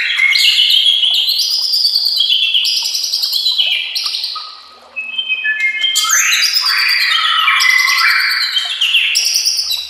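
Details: White-rumped shama song, used as a master recording to train other shamas: a dense, continuous stream of bright whistles, trills and rapid high chattering phrases that shift pitch constantly, with a brief pause near the middle.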